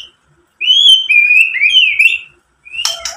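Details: White-rumped shama singing to provoke other shamas: a long flowing run of sweet whistled notes slurring up and down, ending in a short rough rasping burst.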